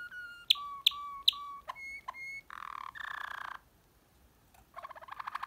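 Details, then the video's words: Waterslager canary singing deep tours: three sharp clicks with short whistles, two clear flat whistled notes, then buzzy low rolls separated by a brief pause. "waterslager canary deep tours"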